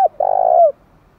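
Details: Spotted dove song used to provoke wild doves into fighting: a single short low coo, a brief note followed by a longer steady hollow tone that drops at the end.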